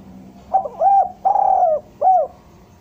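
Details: Spotted dove voicing derkuku bahan, used as a decoy sound for luring doves down: low hollow coos in one phrase, a quick double note, a rounded coo, a long vibrating coo sliding down, and a brief final note.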